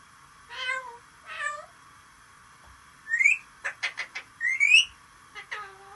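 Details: Parrot imitating a cat, a chicken and human whistles: two drawn-out meow-like wails, then rising whistles mixed with quick clucking bursts and a final short mew.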